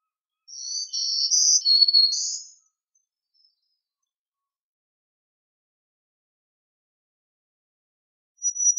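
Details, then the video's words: One buzzy phrase from a black-throated green warbler: several high, wheezy notes shifting up and down and ending on a higher buzz. Long silence follows, with a sharp high note starting at the very end. "Black-throated Green Warbler Song! Call! Voice! Singing - Reinita Dorsivede Canto!"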